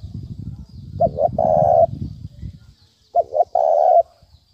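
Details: Spotted dove cooing as a trapping lure: two phrases of a short double coo leading into a longer rough coo, with low rumbling noise before the first phrase.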